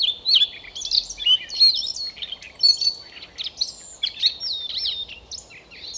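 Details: Siberian rubythroat in song, Novosibirsk, Siberia, Russia: a continuous rich warble of high whistles, sharp chirps and sliding notes, delivered in rapid varied phrases throughout, loud and clear above a low steady hiss.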